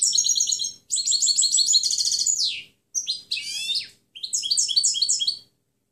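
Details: Clean song (canto limpio) of a European goldfinch, meant for teaching other birds: rapid high twittering phrases broken by short gaps, with buzzy slurred notes and liquid trills in four separate bursts.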